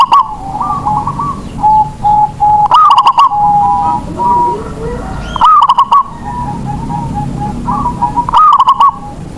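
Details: Song of a local zebra dove kept to coax silent doves into singing: loud pulsed, stuttering coo phrases repeated about every three seconds, with softer coos from other doves filling the gaps.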